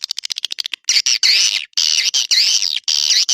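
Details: Edible-nest swiftlet lure call for swiftlet houses: a quick train of clicks, then long wavering buzzy chirps, rising and falling, about half a second each.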